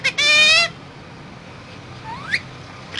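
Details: Parrot, said to be talking, lets out one loud drawn-out nasal squawk with rich harmonics, then after a pause a thin upward-sweeping whistle and the start of another squawk.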